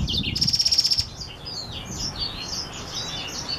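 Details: Black-throated x Reichenow's seedeater hybrid opening with a harsh, buzzy, pulsing trill held for about half a second, then flowing into rapid, high twittering phrases of sliding notes.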